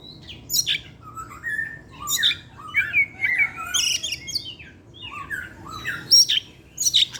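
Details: Kacer, the Oriental magpie-robin, singing steadily in the evening: a fast run of varied whistles, slurred chirps and harsh rasps, with the phrases changing constantly and barely pausing.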